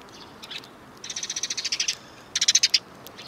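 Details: Sparrows greeting a passer-by on an outbound walk, 7 April 2020, one with an injured leg; bright chirps tumble out in quick trains of about a dozen notes, with a pause between bursts and a quiet background.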